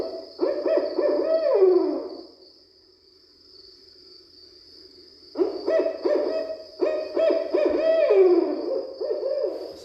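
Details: At least two Barred Owls in a wild, overlapping bout of hoots, cackling and wavering wails, two bursts split by a short pause, over a faint high whine; possibly a territorial argument, from a Cornell Lab recording.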